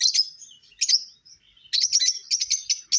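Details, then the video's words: A lovebird gives a few sharp chirps, then breaks into a continuous run of quick, squeaky, high-pitched chatter. "Lovebirds Singing & Lovebirds Chirping sounds"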